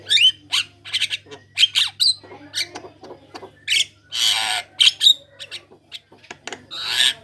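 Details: Javan myna singing loudly to lure other Javan mynas into song: fast mix of harsh squawks, whistled squeaks and a long raspy buzzy burst, notes coming in quick irregular clusters; steady low hum in the background.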